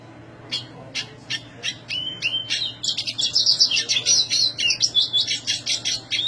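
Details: Black siskin singing loudly in a high register, opening with spaced sharp chirps that quicken into a long, rolling twittering warble with buzzy trills and whistled slurs.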